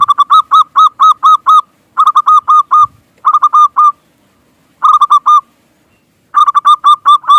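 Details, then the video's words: Local zebra dove, used as a lure to make other doves coo: clear, bubbly cooing in rapid bursts of five to seven rolling hooked notes, the bursts separated by short pauses, with a quiet background. "Perkutut Lokal GACOR Pikat Paling Ampuh Pancingan Cepat Bikin Perkutut Bunyi Manggungung"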